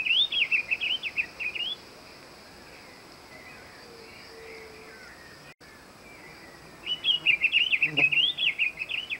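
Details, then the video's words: Diademed tanager (Stephanophorus diadematus) sings two bursts of rapid, high, warbling notes that rise and fall, with a quiet pause between them and soft background hiss. "O Canto do SANHAÇU FRADE (Stephanophorus Diadematus) Bird Song - Diademed Tanager"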